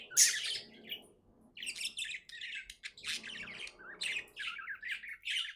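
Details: Happy pet budgerigar chirping: a loud squawky note opens, then bursts of scratchy, warbling high chirps in short phrases separated by brief pauses, with a faint low murmur underneath.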